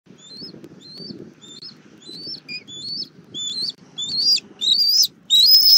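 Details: Bald eagles, a family meeting on the nest tree in Southwest Florida, 19 April 2024 at 17:06, recorded by a nest camera. A chattering series of thin, high chirped notes grows louder and rises in pitch toward the end.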